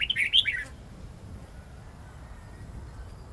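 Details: Red-whiskered bulbul song in the wild-forest style (giọng rừng), long and twisting, for teaching young birds: a rapid burst of bright, jumping notes in the first moment, then only a quiet low background hum.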